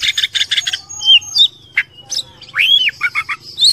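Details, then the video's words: Oriental magpie-robin (kacer) masteran tutor song, meant to make a bird sing as a fighter: bursts of rapid high chattering notes, then long thin whistles, a sharp click, and a looping slurred whistle with quick trills. "MASTERAN KACER JADI FIGHTER"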